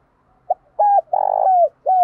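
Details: Spotted dove, male and female calls used to stimulate and train doves: a short soft note, then two clear low coos, a longer buzzy coo with a falling tail, and the start of another coo. Quiet background.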